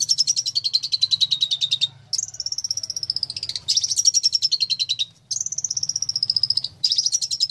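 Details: Long-tailed shrike, billed as a fighter master bird, repeating four bursts of rapid rattling chatter over about seven seconds, each starting high and sliding gently downward, separated by brief pauses; low background hum present.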